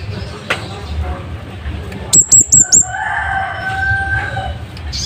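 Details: Scarlet-headed flowerpecker singing loud and sharp, kept as a tutor for training caged birds: four rapid, very high, thin ticking notes in a quick burst, with a softer tonal bird call and a faint background hum following.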